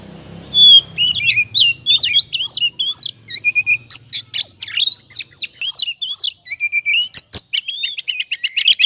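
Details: Ngobra-style oriental magpie-robin song meant to excite other birds into singing: a long, dense stream of rich whistles, rising and falling chirps and rattling notes, almost without pause.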